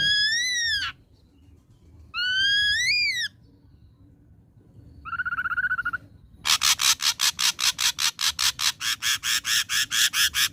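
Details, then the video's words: Ashy drongo, a young bird taken from the wild, sings: two loud ringing whistles that rise then arch over, a softer wavering note, then a fast burst of harsh, buzzy pulses repeated about three per second. "KICAU GACOR BAWAAN MUDA HUTAN SRIGUNTING ABU ABU"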